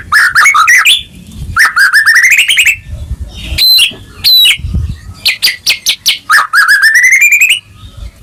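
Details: Lure song of a White-rumped shama for a silent caged bird. Rising fluty phrases with trilled starts alternate with clusters of quick high chips, and a long ascending warble ends the passage.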